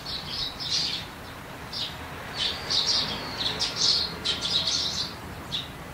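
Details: Eurasian tree sparrows, a resident bird living close to people, heard through the seasons. Bright, short chirps come in quick bursts and clusters, some doubled, with brief pauses between groups and a soft background hiss.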